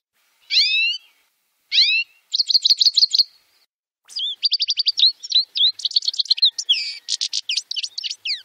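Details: A European goldfinch in Wittlich, Germany, in 2018 gives two sliding, mewing notes, then a quick, liquid, tinkling twitter of bright high notes that runs almost without a break to the end.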